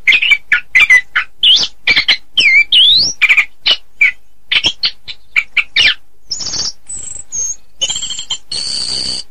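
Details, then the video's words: Anis kembang, orange-headed thrush, in a masteran recording: a quick run of sharp chips and looping whistled notes, followed by high thin trills and a final buzzy, rasping phrase. "Masteran Anis Kembang"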